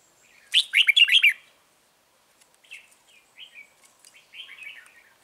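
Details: Caged red-whiskered bulbul acting as a trap lure, singing one loud, bubbly phrase of quick warbled notes, followed after a pause by several quieter, scratchy twittering phrases.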